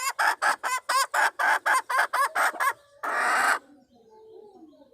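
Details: Red junglefowl hen, a wild hen calling to attract a male, used as a lure for wild junglefowl, 26 March 2020: a rapid series of about ten short, harsh clucks, then one longer rasping squawk and quiet.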